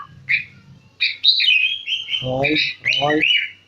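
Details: Sooty-headed bulbul from central Jakarta, Indonesia, a kept bird singing in gacor style: a few short whistled chirps, then a longer, even whistled phrase of sliding notes, with a low human voice briefly overlapping.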